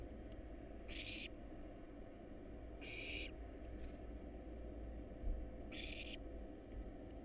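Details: Wild barn owl chicks at a nest box, being fed a rat and a rabbit, give three breathy rasping hisses spaced a couple of seconds apart; a faint knock and constant low hum are also heard.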